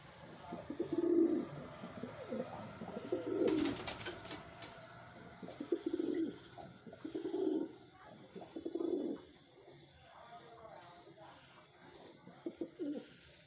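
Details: Kept wild pigeons give low cooing bursts roughly every two seconds, about six phrases in all, with a brief clatter of wings or handling near the start.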